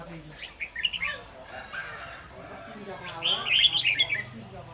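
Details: Red-whiskered bulbul in Vietnam, recorded while being trapped with a decoy bird: a brief chirp, a pause with soft background sounds, then a rapid, bubbly run of sharp twittering notes.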